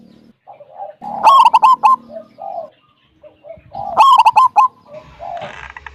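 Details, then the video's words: Wild local zebra dove with a strong 'kung' song, played to coax other doves to sing. Two loud, rough, harmonic bursts of coos are separated by softer low cooing notes and short pauses. "Perkutut lokal gacor suara besar - SUARA KUNG"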